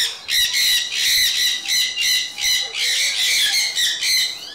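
Sun conures give loud, harsh, high-pitched squawks in rapid, uneven bursts.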